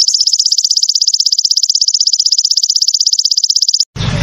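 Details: Crested jay delivering a fierce 'tembakan' burst: one continuous, evenly pulsed, shrill high rattle of rapid notes lasting nearly four seconds, ending abruptly with a short thump of noise.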